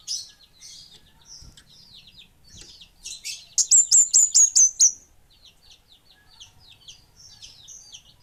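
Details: Kemade Bunga Api song: scattered thin high ticks and twitters, then a loud burst of about seven sharp, evenly spaced high whistled notes, then quieter chips again.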